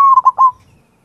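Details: Local zebra dove (perkutut) singing its manggung rhythm: a soft, mellow coo broken into three quick rolling beats at a steady mid pitch, lasting about half a second, with nothing else heard.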